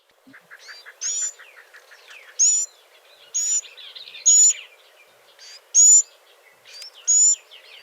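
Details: A Northern Mockingbird fledgling gives very thin, high "seet" notes every one to one and a half seconds, with fainter chips between; the call is quite different from adult call notes.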